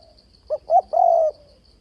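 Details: Spotted dove cooing to lure others into a decoy trap: a brief soft coo, a rising second note, then a long level coo, set against a faint high pulsing trill.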